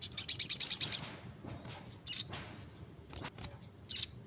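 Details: Brown-throated sunbird singing energetically: it opens with a fast, high trill of about nine rapid notes, then gives several isolated sharp chirps after pauses, with a soft low hum underneath.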